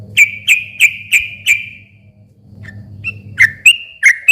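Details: Sooty-headed bulbul song used to goad silent birds into replying. Five clear, slightly falling whistles in a row, then a near-silent gap with low hum, then further sharp whistled notes.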